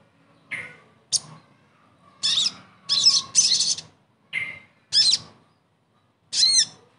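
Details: Sogon song used as therapy to prompt a bird that has stopped singing: separate high phrases of varied texture, some scratchy and chattering, others clear upslurred whistles, spaced about a second apart.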